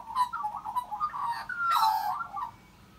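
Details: An Australian magpie carols, signing out to others in mellow, fluting warbles that rise and fall, swelling to a louder, richer burst near the end before fading.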